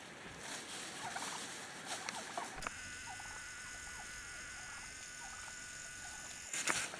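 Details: Autumn wind in Coronado National Forest carries soft calls from a wild turkey family: brief muted notes repeated irregularly, with a thin steady tone and wind noise underneath.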